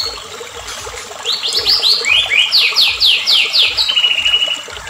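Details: Agitated White-rumped shama lure song, used to trigger other shamas into full song: after a quiet start, a fast series of bright, down-slurred whistled notes, about a dozen in a row, ending in a brief trill.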